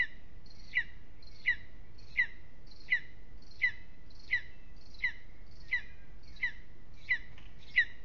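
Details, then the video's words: Restless evening at a lesser spotted eagle nest in an aspen, Aizkuja, Latvia: a series of about eleven clipped, piercing yelps, each dropping slightly in pitch, spaced evenly around 0.7 seconds apart, with quiet low rumble beneath. "A restless evening in the nest LVM Mazais ērglis Aizkuja, apse 2 - Lesser Spotted Eagle"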